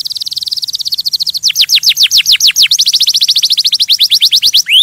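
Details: Singing canary used to stimulate other birds, opening with a fast even high trill, then a series of sharp downslurred notes repeated several times a second, closing with a rising whistle.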